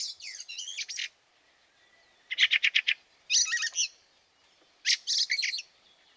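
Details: Fieldfare calling amid snow at Liepāja, Latvia, in March 2023. Grating chuckling bursts, some with squeaky upper notes, come at irregular one-to-two-second gaps over a soft background hiss.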